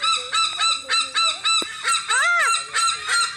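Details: Laughing call of a bird at the Philippine Eagle Center, Davao City: about a dozen harsh, honking notes repeated rapidly, roughly three per second, with a brief higher arched cry near the end.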